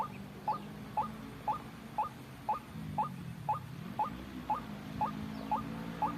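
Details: Ruak-ruak, the white-breasted waterhen, in a lure recording for trapping birds: brief rising notes at a regular two-per-second pace, twelve or so, with low droning noise and a faint wavering hum underneath.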